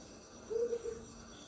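Greater coucal giving a quick run of three deep, hollow hoots, low and resonant, over a faint steady background hiss.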